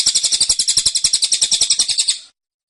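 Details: Cililin kept in a cage delivering its close-packed, insistent tembakan: a two-second volley of piercing, evenly spaced chirps that stops abruptly.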